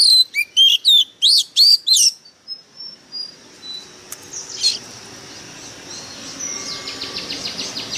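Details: White-rumped shama decoy bird in fierce song: a fast run of loud, sharp whistled notes and slurs for two seconds, then quieter distant chirping and a faint insect-like buzz fill the rest.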